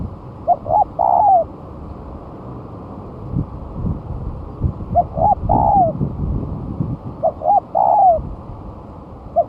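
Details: Lure recording of a spotted dove after moulting, singing eagerly: three phrases of two quick hooked coos and a longer falling coo, evenly spaced about three seconds apart over low background noise.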